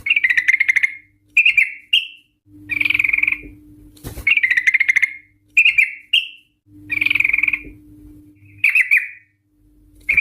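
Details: Yellow-vented bulbul (trucuk) lure for prompting rolling song from other birds. Buzzy, rattling two-part phrases repeat about every three seconds, each a rough chatter followed by a brief higher note, with background rumble between.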